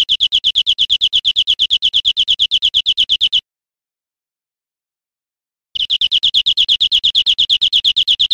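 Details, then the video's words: In Spain in 2013, a European Greenfinch gives long, very regular trills of quick high notes, about three seconds each, separated by a clean two-second gap. "Canto de Verderón"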